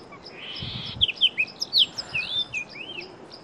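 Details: Chestnut-vented tit-babbler: after a short hiss, a rapid run of bright, high chirps slurring down and up, ending in a rising then falling whistled note.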